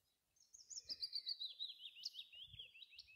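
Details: Willow warbler singing from close by on a windy day; one clear cascading phrase of rapid sweet notes drops gradually in pitch, ending in a couple of brighter rising notes, with light wind rumble underneath.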